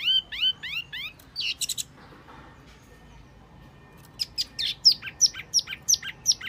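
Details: Wambi mini lure call: bursts of high, rapidly repeated down-slurred chirps, a pause with faint background hiss, then a sharper series of bright descending notes about three per second.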